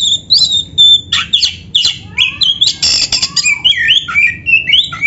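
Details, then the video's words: Oriental magpie-robin, black-breasted type, used to prompt caged birds to sing: rich varied song of whistles, harsh buzzy bursts and sweeping notes, ending with repeated rising slurred whistles. "SUARA BURUNG KACER MASTERAN"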